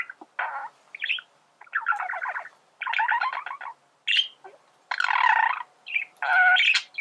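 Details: Male budgerigar song for training birds to sing, made of harsh buzzy chatter bursts mixed with high squeaky chirps, in uneven phrases about a second apart.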